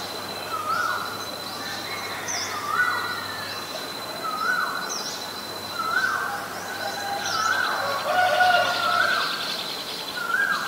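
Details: Asian koel, male and female, from Thailand's range in Asia; a series of clear rising whistled notes repeated about every one and a half to two seconds, around six calls, with faint chirps from other birds and steady background hum.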